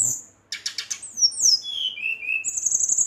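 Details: Brown-chested jungle flycatcher singing vigorously at night, provoking rival birds: a burst of buzzy high notes followed by descending whistled slurs and a sustained high trill, with a person talking softly nearby.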